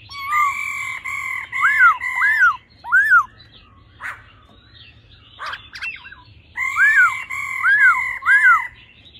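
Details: Female laughingthrush calling 'ro' while the male sings in old-forest voice, to excite the male fast; sustained whistles broken by arched up-down notes, a mid-clip scratchy pause, then the arched whistled phrase returns.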